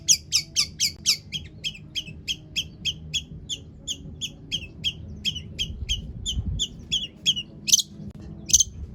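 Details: Long-tailed shrike song, offered as a lure so other shrikes start singing: a long, steady series of short clipped chirps, roughly three per second, ending with two harsh high bursts, over faint low hum.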